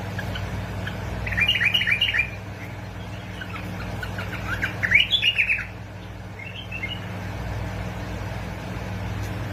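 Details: Bulbul from Basra and Fao, Iraq, a recording for prompting bulbuls to sing: two clear phrases of quick chattering chirps a few seconds apart, then a fainter short phrase, with a steady low hum underneath.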